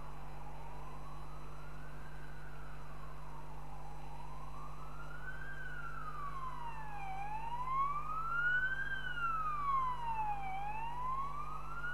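A wailing siren sweeps slowly up and down in pitch, with fainter higher echoes, over a steady low hum; no animal sound is heard.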